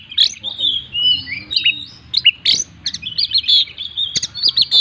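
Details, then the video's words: Oriental magpie-robin in gacor full-isian song, mixing warbled whistles, a smooth level note and a burst of harsh chattering phrases toward the end, over faint low rumbling. "burung Kacer gacor full isian"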